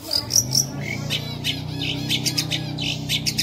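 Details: Lively long-tailed shrike song, the masteran style with energetic fill-ins: three sharp high chips open, followed by scattered buzzy notes over a constant low mechanical hum and faint insect noise.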